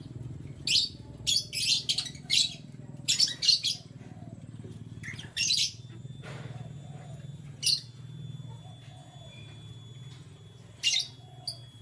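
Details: Canaries chirping in the morning, giving a run of crisp high tweets in rapid groups early on, then scattered single chirps, with a constant low hum underneath.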